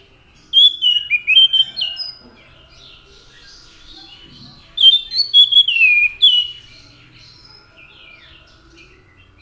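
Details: Orange-headed thrush in lively song: two bursts of rich, varied whistled phrases, slurred up and down with quick trills, separated by a few seconds of quiet with faint background noise.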